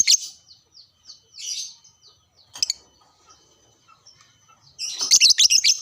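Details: Caged lovebird, used to stimulate other caged lovebirds to sing, giving spaced high squeaks and short harsh chatters, then a loud continuous burst of shrill twittering at the end.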